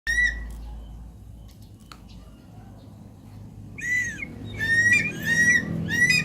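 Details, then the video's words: Javan pond heron (Ardeola speciosa): a short harsh harmonic squawk at the start, then after a quiet gap a burst of several nasal, slightly rising squawks near the end, over low background rumble. "Burung Blekok sawah"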